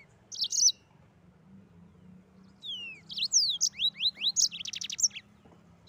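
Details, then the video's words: Mozambique canary's rolling 'ngeroll' song: a short opening chirp, then after a pause an accelerating series of upslurred whistles and sharp twitters ending in a brief buzzy trill. "Burung Mozambik Gacor Ngeroll"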